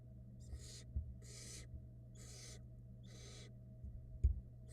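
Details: Downy barn owl nestlings fed by the female at a nest camera, brood hatched February 2022: four softer, scratchy hisses about a second apart, with a few dull thumps and knocks and a steady low hum.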